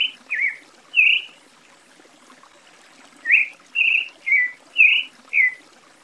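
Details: Creamy-bellied Thrush (sabiá-poca) singing short whistled phrases near one pitch band, some rising, some falling, delivered in two bursts with a pause of about two seconds between them. Faint background hiss.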